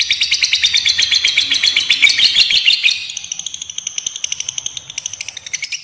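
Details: Fighter lovebird ngekek panjang, a long trill meant to lure and tutor young lovebirds: rapid high chattering that swells, then thins after three seconds into sparser, higher, evenly spaced chirps.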